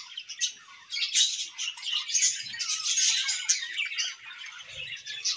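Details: A budgerigar pair in an aviary singing in the morning. Rapid squeaky chirps and buzzy, scratchy warbling flow almost without pause, with a few sharper clicks standing out.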